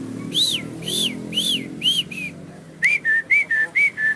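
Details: Javan myna singing while nodding its head: five loud arched whistles about every half second, then after a pause six shorter, flatter whistled notes in quick succession, over low background rumble.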